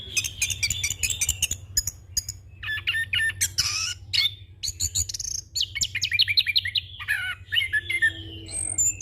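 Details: Young orange-headed thrush pouring out a full rolling song for training and luring other birds: dense rapid trills and chatters, a harsh rasping burst near the middle, then repeated descending whistled phrases.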